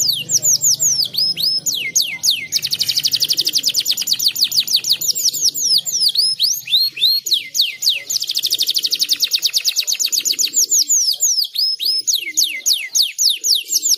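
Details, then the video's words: Gacor canary in full, long song. High downward-sweeping whistles alternate with dense buzzy rattles of very fast notes, then clear looping phrases. The background is quiet. "Terapi Kenari Gacor"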